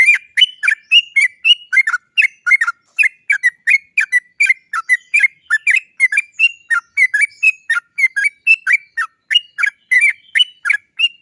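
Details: Yellow-vented bulbul (trucuk) singing a long rolling song in one breath, used as a lure to make other trucuk birds sing: a steady stream of quick bubbly, chirping notes, about three or four a second, with no pauses.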